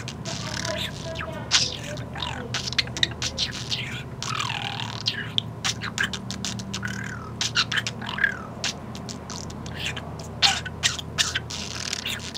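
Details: A one-year-old male pet budgerigar, perched on the owner's head, gives rapid clicks, pops and squeaky warbled chatter in an irregular, beat-like stream.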